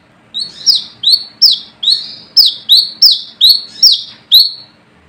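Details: Brown-throated sunbird giving its rival-calling notes, used as a lure: after a short silence, a run of about nine high, sharp, down-slurred chips at a quick, slightly uneven pace, then quiet.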